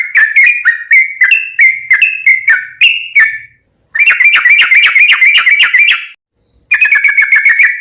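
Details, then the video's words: Sooty-headed bulbul in a long 'ropel' song, used to coax other bulbuls into singing: a series of bright whistled notes, then a fast continuous rattling trill of about two seconds, a pause, and another trill. "trucukan gacor ROPEL PANJANG buat pancingan trucukan agar bunyi"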